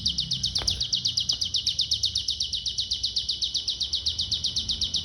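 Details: Pygmy bushtit song described as an unusual short-circuit style; an unbroken, machine-like rapid trill of piercing high notes, regular throughout, over soft low background hum.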